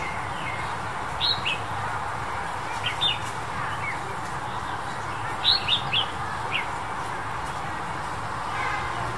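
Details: Warbling White-eye in February 2021 giving short, thin, high chirps in loose clusters of two or three, over a steady background rush of noise.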